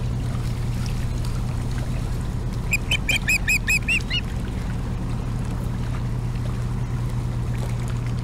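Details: Osprey at a nest in Bremen, Maine, in September 2017, calling for fish from its mate: a quick burst of about seven sharp, high, clipped whistled chips, over steady low hum and background noise.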